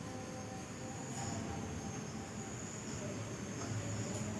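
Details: Faint, steady hiss and low rumbling noise with a thin high tone throughout, and no animal voice heard.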